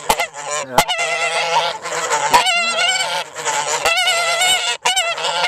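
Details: A dense, nearly unbroken din of loud, quavering honks from rowdy farm geese, with lower grunts beneath and occasional sharp clicks.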